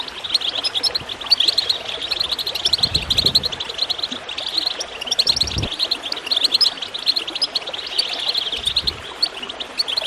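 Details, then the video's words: Continuous high goldfinch twittering, quick chirps and trills overlapping in a busy chatter, with brief low gurgling bursts of water now and then; played to prompt other birds to sing. "Water gurgling with goldfinch chirping to encourage birds to song"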